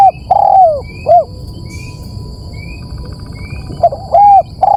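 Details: Lure call used to draw in birds, with loud, clipped arched notes in short bursts, faint thin rising chirps between them, and a constant high-pitched electronic tone in the background.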